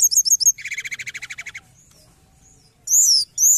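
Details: Mountain forktail used as a trapping lure: several sharp high notes, then a fast, regular buzzy trill lasting about a second, quiet, and two long ringing downslurred whistles.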